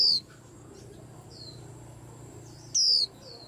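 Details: White-eye stirring up a rack of birds: a high, descending whistled note at the start and another near the end, with faint thin chirps from other birds in between.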